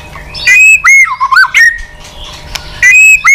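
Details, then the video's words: White-rumped shama singing in a contest, tail wagging continuously; loud whistled notes and looping warbled phrases, pauses between bursts, a sharp click near the middle, steady sustained whistles toward the end. "chòe lửa căng lửa tạch đập đuôi liên tục"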